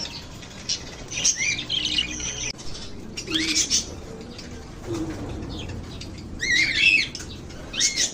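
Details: Lovebirds chirping with bursts of wing flapping: clusters of high, buzzy twittering chirps come in irregular bouts every couple of seconds, mixed with rustling and fluttering against a low hum.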